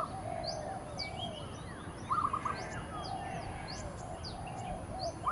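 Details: In early morning, an Oriental magpie-robin sings its territorial song of brief, varied high whistles and slurred notes; a visiting oriole is present, a lower fluty phrase comes partway through, and a steady background hum runs underneath.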